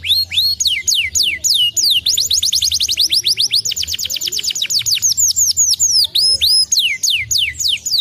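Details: Stimulating canary song: fast rolling trills of high downward-slurred whistled notes, speeding into a long tight run, then slower drawn-out sweeping notes; a low steady hum runs underneath throughout.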